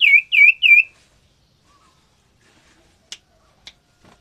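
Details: Common iora, a male and female kept in captive breeding and being paired to mate and lay eggs; three loud, clear whistled notes in quick succession, each with a rising then falling shape, followed by quiet with two sharp clicks.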